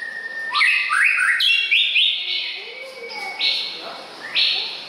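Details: Male White-rumped Shama, Copsychus malabaricus, May 2014: a varied run of rich whistled notes, some rising and some falling, mixed with brief chattery elements and a thin sustained tone, against low background noise.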